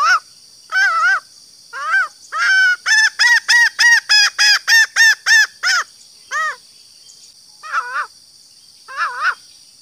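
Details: Female green junglefowl luring males: wavering notes build into a fast even series of about ten clipped, harsh notes, then slower wavering calls, with a steady high hiss throughout.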